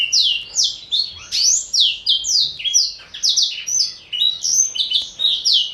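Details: Caged male black-throated canary, a Somerini x Botswana cross aged four, pours out a lively, unbroken song of high, sharply falling chirps, rolling steadily in quick phrases.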